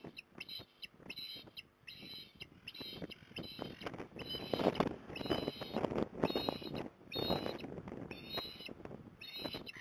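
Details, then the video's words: Female osprey on a magpie perch at Port Lincoln, Australia, 5 December 2020, calling to lure her juvenile back home; bursts of high, shrill whistled chirps repeated rapidly, over steady low rumbling wind-like noise. "Osprey ~ Mum With Magpie Perch Trying To Lure Dew Back Home"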